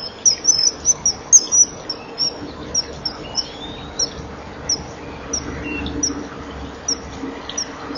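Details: Pair of Eurasian kestrels at a nest box camera, morning of 12 March 2015, during a courtship mating attempt: a fast volley of sharp high chips that thins into single spaced chips, with a faint rising whistle.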